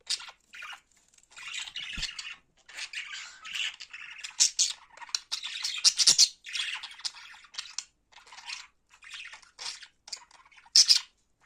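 A cockatiel gives a continuous run of harsh, raspy chatter and squawks.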